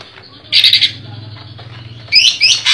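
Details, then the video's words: Greater green leafbird (cucak ijo) from a Comal, Pemalang collection gives a short buzzy pulsed burst, then quick twisting whistled notes, over a low steady hum. "Cucak Ijo Gaco Besetan Rapat"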